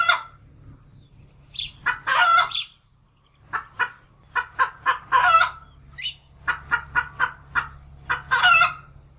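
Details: Farm hen giving a run of short, sharp clucks at irregular spacing, with several louder, longer rasping squawks mixed in, over a faint low background drone.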